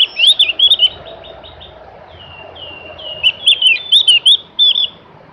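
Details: Melodious Javan grey-throated white-eye song in two lively bursts of rapid, high, twisting chirps and short whistled slurs, each burst lasting about a second. The bursts are separated by a quieter stretch of faint notes.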